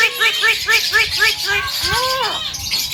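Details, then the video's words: Tame Javan myna imitating speech: a quick train of short arched nasal syllables, then a longer drawn-out arching call that falls away, amid hissy chatter. "BURUNG JALAK KEBO JINAK PANDAI BICARA GACOR FULL ISIAN"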